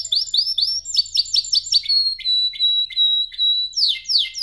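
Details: Belgian canary song during singing training, meant to prompt other canaries to sing: a fast, bright run of high chirps and trills, quick repeated notes sliding into sustained whistled tones, with no other sounds.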